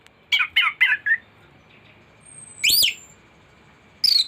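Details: Thrush (anis) song as tutoring material: four quick descending chirps, a pause, then a loud rising squeaky note and a sharp high whistle at the end.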